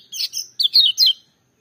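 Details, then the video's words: Lemon-bellied white-eye making loud, full-voiced song: about five short, high, slurred chirping notes in roughly one second, then quiet. "Kecial Kuning joss gacor menggelegar tapi merdu"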